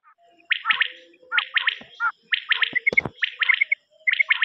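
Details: Common quail call from a quail cassette recording: short three-note bursts, sharp and repeated about once a second, mixed with other thin whistles and a brief clatter in the middle.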